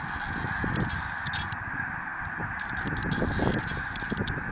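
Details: Snow geese gathered at Merrill Creek Reservoir, a dense flock producing a steady din of overlapping honks and yelping calls, with scattered sharper notes rising above the continuous chatter throughout.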